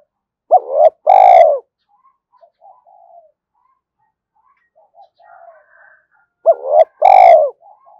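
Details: Spotted dove cooing nonstop in the 'gáy thúc' manner to call wild doves over. Two full phrases roughly six seconds apart, each a brief looping double note before a drawn-out, throaty coo, with quiet scattered notes in the gap.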